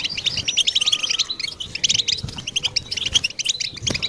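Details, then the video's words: European goldfinch song used to stimulate other goldfinches: a dense, fast stream of high, tinkling twitters and chirps, with a faint low hum beneath. "Best beautiful stimulation of européen goldfinch"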